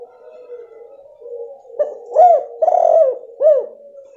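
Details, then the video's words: Female spotted dove call used to lure a silent male into calling; soft low humming, then a phrase of three or four arched, mellow coos, the middle one long and rough. "Suara Betina PANCINGAN tekukur jantan MACET bunyi"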